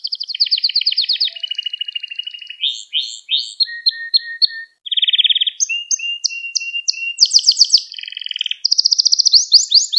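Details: Canary song, offered as a model for teaching young canaries to sing: a long, varied run of rapid trills and rolls, each phrase a different pitch, from low buzzy rattles to high bright tours, with almost no pause between.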